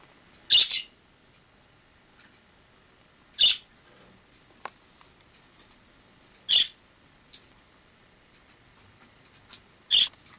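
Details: A wild sparrow that entered the home through the balcony in autumn 2006 and stayed as a pet gives short, sharp, high chirps about every three seconds, with faint ticks between, in a quiet room.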